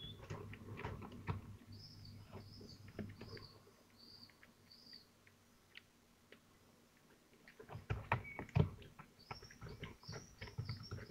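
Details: Kestrels at their Théding nest, 25 June 2023, while a brought prey item is pulled apart; two bursts of sharp high repeated notes, early and late, separated by a quiet stretch, with thuds and rustling from the nest.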